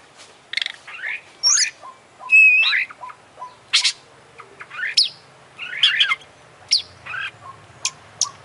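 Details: Oriental magpie-robin singing energetically, beak open and tail spread, in a full 'isian' song of mixed fills: varied whistles, sharp chirps and rising buzzy notes in bursts, with a faint repeated low note underneath.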